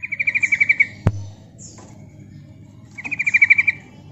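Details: Lure call of a female Yellow-vented bulbul, meant to provoke answering birds. A quick pulsed chatter opens, a sharp click follows, then a second rapid rattling trill of about ten notes closes.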